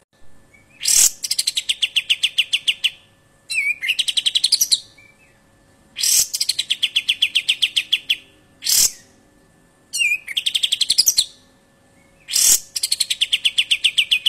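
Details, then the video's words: Cream-vented bulbul giving sharp, high phrases: a quick downward sweep, then a fast buzzy rattle of notes. Each phrase lasts about two seconds and repeats every two to three seconds. "Suara full Besetan KAPAS TEMBAK tajam"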